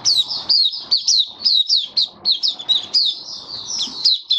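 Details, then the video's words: White-eye giving its opening song on 23 March 2022 amid warm humid weather: a continuous string of bright, high, slurred chirps, with a rustling, scratchy background noise throughout. "Mata Puteh Kitaro Video 1 buka sing"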